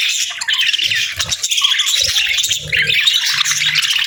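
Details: Pet parakeets feeding on warm meals on a winter morning, chattering loudly: a dense, continuous mass of squawky chirps and scratchy warbles from several birds, with low thumping noises underneath.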